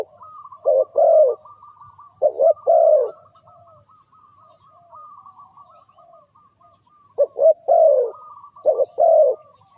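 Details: Spotted dove used as a trapping lure, giving two bursts of coo phrases: short doubled notes then a long falling coo. A long quiet gap between them carries a thin, wavering high whistle.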